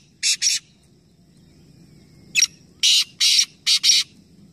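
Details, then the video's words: Competing black francolins, three calling together in Nawabshah, Pakistan: a double rasping burst, a pause, then a sharp note followed by four coarse, buzzy bursts in quick succession, over low background rumble. "Teen Teeter Ek Sath Awaz Competition | Black Francolin | Black Partridge"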